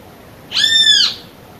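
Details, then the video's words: Female great kiskadee calling to the male: one clear, harmonic call lasting about half a second, steady in pitch with a slight rise and fall, over faint background hiss. "Áudio som do pássaro Bem-te-vi fêmea chamando o macho"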